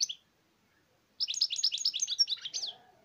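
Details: European goldfinch song, likely a pet kept indoors: a short high note, a pause, then a rapid chattering run of liquid twittering notes about eight per second for a second and a half, fading out.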